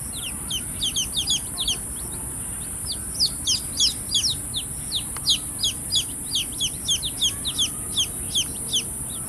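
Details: Several baby chicks chirp continuously with rapid, overlapping, high, down-slurred peeps, several each second, over a constant high-pitched hiss.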